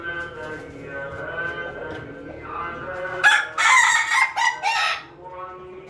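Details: Ayam Ketawa, the laughing chicken, crowing in the morning. Steady harmonic tones give way to a loud run of rapid, broken, cackling bursts, like choppy laughter, before fading.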